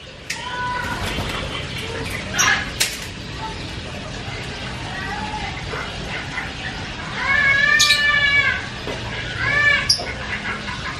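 Javan myna chattering loudly with varied notes: scattered clicks and whistles, then two drawn-out, nasal, mewing wails with a rise and fall, near eight and ten seconds.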